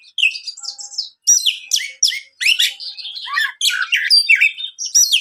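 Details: Energetic song of a champion Oriental magpie-robin (kacer), played to provoke other magpie-robins: loud phrases of varied whistles, buzzy notes and chattering, separated by short gaps of silence.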